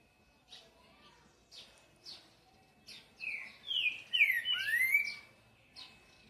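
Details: Green-winged saltator giving the song style called boi: a few soft, scattered chirps at first, then a loud two-second phrase of slurred, sweeping whistles that rise and fall, followed by another faint chirp.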